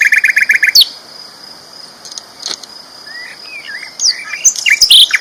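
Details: Loud sikatan londo flycatcher song: a brief buzzy rattle, then a quiet spell with soft slurred whistles, closing in excited high chattering.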